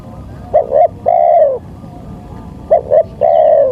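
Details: Spotted dove lure recording for trapping wild birds: two short clipped coos followed by a longer drawn-out coo that falls at the end, the phrase given twice over steady low background hum.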